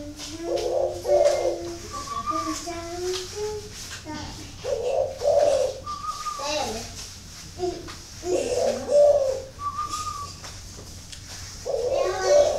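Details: Spotted dove kept in an aviary in Ba Vì, Hanoi, northern Vietnam, repeating brief, deep, mellow coo phrases about every four seconds, with people talking and other birds' thin whistles between the coos.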